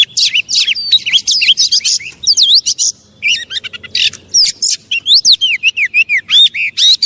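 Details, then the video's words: Oriental magpie-robin in full song, meant to rile up other magpie-robins: a continuous, energetic stream of varied whistles, sharp chips and looping slurred notes with scarcely a pause, one short gap near the middle. "Pancingan burung kacer biar cepat emosi"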